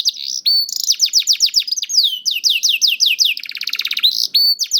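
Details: Canary song for prompting slow or silent canaries to start singing. High, rapidly repeated downward-swept notes run into a dense buzzing trill, then a bright whistled phrase. No other sounds.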